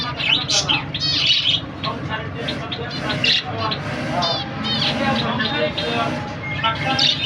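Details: Zebra finch family, a pair with two chicks; short nasal, buzzy calls repeat irregularly throughout, several overlapping, over a steady low murmur that may include voices.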